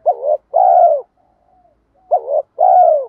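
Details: Two phrases from a spotted dove doing 'gù gáy' lure cooing. A short undulating note leads into a sustained, gently falling coo. A faint quiet hum sits between the phrases.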